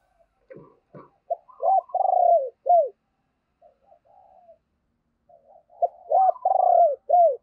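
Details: Decoy spotted dove cooing to lure wild doves: soft low coos followed by loud arched coo notes in short bursts, repeated twice with a quiet pause between.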